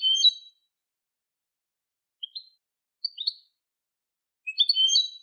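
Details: European goldfinch song used to train young birds: bright twittering phrases of clustered high notes, with short two-note chirps in between and a richer tumbling phrase closing, on a quiet background.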